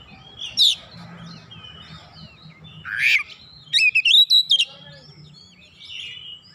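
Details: Oriental magpie-robin answering at once and insistently, pouring out its isian, or learned fill phrases: scattered high whistled and chirped notes, then a quick burst of stuttering high notes midway, over a faint low hum.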